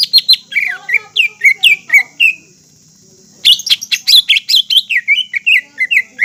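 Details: Green leafbird lure song to make other leafbirds sing and get emotional: a dense run of bright, chirpy whistles, a short silence, then another fast, loud, varied phrase of mimicking notes. A faint steady high hiss sounds throughout.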